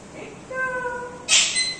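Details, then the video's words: Talking pet Indian ringneck parrot: a short soft note, then a level, sustained whistled tone, ending in an abrupt harsh, noisy burst with a thin high whistle. "smart parrots talking mithu beta"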